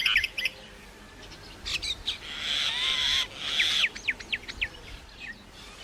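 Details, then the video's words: Varied common myna song: scattered clicks and chatters, a drawn-out buzzy, wheezing passage, then a string of quick, sharply falling whistled notes. "Common Myna Bird sound like singing (Making different sound)"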